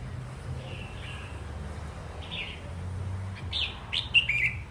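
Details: Wild-caught adult red-whiskered bulbul, described as a keen singer, giving a few scattered whistled notes that build into short, quick warbled phrases near the end, over low background hum.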